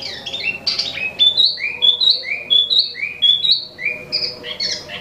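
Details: Imported Wambi mini, or Tieu Mi, in lively song: sharp high notes that flick upward and drop, alternating between two pitch levels in a brisk, jerky sequence.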